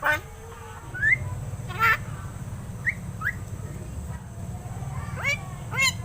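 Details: Pet myna, about seven months old and hand-raised, said to be learning to talk: short rising whistled notes and harsh broadband squawks scattered over a steady low mechanical hum.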